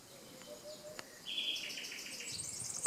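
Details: Nightingale song by the Canal du Midi near Le Somail in Languedoc, France: a steady pure whistle held briefly, then a fast run of repeated clipped notes climbing into high, glittering trills, over soft rural background noise.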